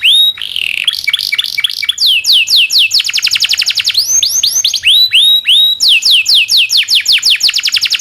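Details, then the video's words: Domestic canary in full song, with long rolling trills used as master song for training canaries: repeated sweeping whistled notes in fast tours, shifting from warbled phrases to steady falling trills and bright rising slurs. "SUARA BURUNG kenari gacor cuit cuit ngerol panjang ini buat MASTERAN KENARI"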